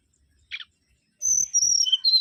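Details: Mangrove whistler (Pachycephala grisola) song: one short harsh note, then loud sustained high whistles in a stepped series, holding level, dipping lower and rising again.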